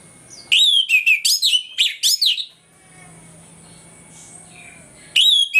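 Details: Orange-headed thrush (Geokichla citrina) singing loudly in the morning: varied whistled phrases with sweeping notes in a rapid burst, a pause with faint hum, then another phrase; used as a lure to provoke aggression in other males.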